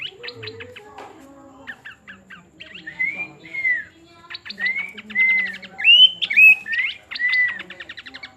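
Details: ['Pin-striped tit-babbler singing: scattered dry ticking rattles mixed with clear, slurred whistles that rise and fall, delivered about twice a second, over a soft low hum.']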